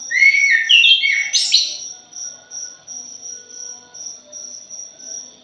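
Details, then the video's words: Thrush in a lure recording, opening with a loud, rapid string of varied whistled and grating notes, falling then leaping higher, before stopping. Only rhythmic, high insect pulses follow. "PANCINGAN PUNGLOR JALI JOSS....\ JALIMIN BRISIK"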